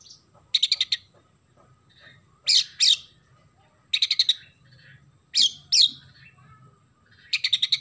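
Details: Oriental magpie-robin singing energetically with sparrow imitations: rhythmic rattles of five harsh notes alternating with paired sharp chirps, cycling regularly over about eight seconds, with low hum behind.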